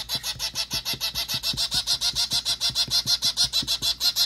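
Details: Zebra finch of the white form, calling during hand feeding on 21 December 2023: an insistent run of evenly spaced nasal calls, about three each second, over regular faint knocking.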